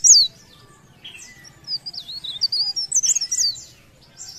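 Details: Leaf warbler singing actively: a sharp high note, a short pause, then a fast flowing string of thin, very high, zigzagging twitters that fades out, with a few softer notes after.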